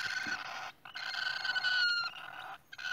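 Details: Rasping, steady nasal calls from cockatiels at their nest, two long drawn-out buzzy notes separated by a brief silence, followed by a third starting at the end.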